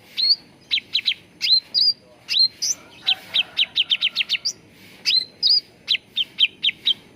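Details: Cucak ranting bulbul singing steadily, a recording for luring and training birds to sing: rising whistles interleaved with dense bursts of rapid chirps.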